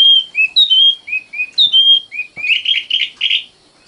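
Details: Sikatan londo, or common nightingale, delivering a string of pure whistled notes that switch between higher and lower pitches, then ending in a run of rougher, grating notes.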